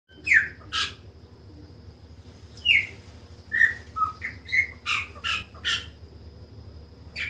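A Chopi blackbird sings loud, varied whistled and chirping notes, some rising and some falling, in quick irregular bursts over a low background hum.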